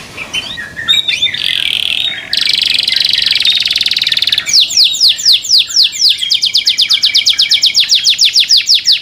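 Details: Caged canary in song, loud and high: a buzzy rolling trill, then a run of rapid falling whistled sweeps repeated about four times a second, shifting into quicker chopped notes toward the end.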